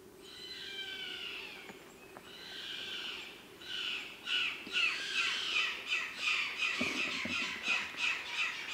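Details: A pair of chimango caracaras suddenly calls overhead in forest in Patagonia National Park, southern Argentina: harsh, screechy calls rising into rapid repeated wheezy shrieks, about three per second, over faint forest background.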